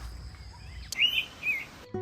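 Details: Indian pitta, the Navrang, in forest near Ranchi, Jharkhand: two clear whistled notes half a second apart, the first longer and the second shorter, over a quiet background with a sharp click just before them.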